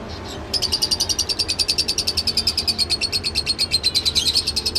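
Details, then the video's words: Rapid lovebird chatter: a steady pulsed trill of sharp high notes, about six per second, running evenly for four seconds after a brief quiet start. "love bird sounds"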